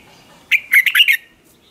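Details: Red-whiskered bulbul in morning training song; one brief, bright chirpy phrase of four or five quick rising and falling notes.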